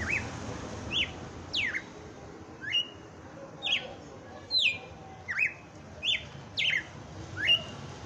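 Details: Red-cowled cardinal, Christmas Day, 'batendo fogo' singing: a lively series of about eleven whistled notes, sweeping up and down, some held flat, coming less than a second apart over a quiet hiss.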